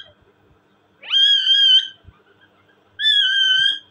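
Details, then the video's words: Caged pet talking parrot producing two strong whistles: the first climbs sharply then holds a level ringing note for nearly a second, the second starts already high and stays flat, with quiet room sound between. "my amazing and cute talking parrot,parrot sound"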